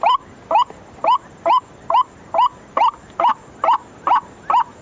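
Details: White-breasted waterhen lure call used at night: a steady series of short, harsh, rising notes, roughly two per second, each with a bright upward twist, over a quiet background hiss.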